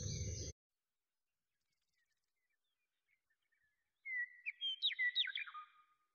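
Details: Malaysian pied fantail (Rhipidura javanica), two newborn birds; a quick run of thin, squeaky whistled notes that swoop up and down, ending on a lower slurred note, after a brief rough noise burst.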